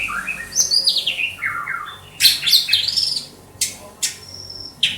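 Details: White-rumped shama, a caged bird in Banda Aceh, sings a falling series of clear whistles followed by harsh, rattling high notes and several abrupt sharp chips.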